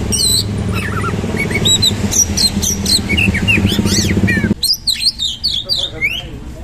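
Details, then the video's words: Oriental magpie-robin singing hard with rolling bursts and rich fill: rapid chirps and rising and falling whistled sweeps, partly masked by a loud low droning hum that suddenly drops away midway. "KACER GACOR MATERI KASAR ROLL TEMBAK ISIAN MEWAH"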